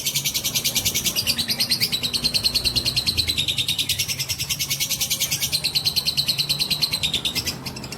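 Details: Fighter lovebird delivering a long ngekek trill to stir up rival lovebirds: unbroken, fast rattling high notes with a thin whistle that dips and levels off, tapering slightly at the close.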